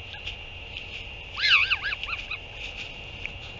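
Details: Northern royal albatross, 8 June 2023, a parent returning to feed its chick: one loud wavering honk flowing into several quicker, softer notes lasting about a second, amid steady electronic hum.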